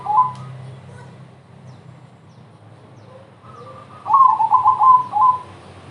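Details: Zebra dove, a crossbred bird, singing to lure other doves: after faint opening notes and a quiet spell, a quick string of five or six soft, rolling coos ends on a longer note, over a low background hum.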